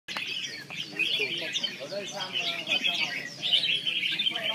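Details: Red-whiskered bulbul, a kept bird, sings bright chattering and warbled phrases, high and nearly continuous, while men talk in Vietnamese over it.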